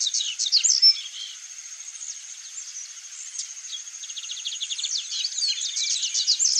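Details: Chalk-browed mockingbird song: loud mixed chirps and sweeps at first, a quieter stretch, then a fast even series of repeated clicks and notes building into dense varied phrases, with a continuous high buzzing tone behind.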